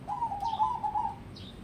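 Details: One long, continuous trilled coo from a crossbred zebra dove groomed for song contests, mellow and wavering, with two brief high chirps from another bird.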